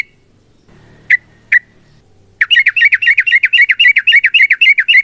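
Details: Sooty-headed bulbul, a kept bird, singing a long fighting song meant to prompt other bulbuls to sing: two isolated sharp notes, then a rapid run of repeated chattering notes, about four per second.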